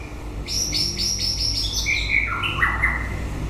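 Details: White-rumped shama singing at the end of the breeding season: a quick series of bright high notes, then lower whistled phrases stepping downward, over steady low background hum.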